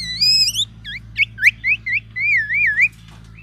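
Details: Black-naped oriole delivering oriental magpie-robin mimicry meant to challenge other orioles: a long bright whistle, then varied swooping and looping whistled notes at a lively pace, ending in a wavering phrase over steady low hum.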